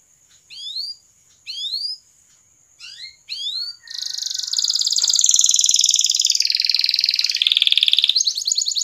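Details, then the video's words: A canary sings four short bursts of high, rising whistled notes, then a long, fast, rolling trill that shifts pitch and ends in a brighter rattle; used as a lure song to prompt canaries to roll and sing. Canary. "suara pancingan kenari"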